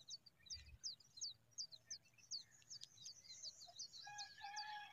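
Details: Mother familiar chat tending her nest, giving sharp, high, downward-slurred chirps in a quick series of nearly three per second, while softer background birds add a short flat whistle toward the close.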